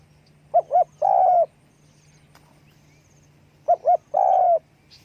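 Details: Spotted dove call given with wing flapping: two phrases roughly three seconds apart, each two short soft coos leading into a held croo, a steady low hum underneath.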